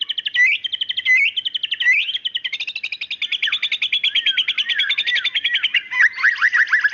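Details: Female white-rumped shama calling the male: rapid trains of sharp, repeated chirps around the upper range, shifting into a dense buzzy rattling stretch and ending with fast downslurred notes.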